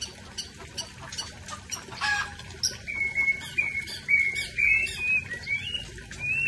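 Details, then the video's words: White-rumped shama of the Aceh type delivering a scratchy start followed by clean whistled notes that wobble and glide upward, strung closely together in a lilting phrase. "Murai ACEH # Tumpahkan Isian"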